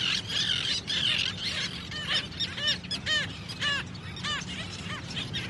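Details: Seabirds at the ocean's edge: a run of squealing, arched calls repeated almost twice a second over steady low surf rumble.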